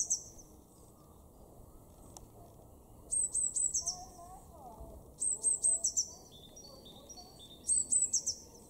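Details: Eurasian blue tit singing in a garden in Weener, East Frisia, far northwest Germany, March 2024: three separate bursts of very high, thin notes that slide into a fast descending trill, with quiet pauses between phrases.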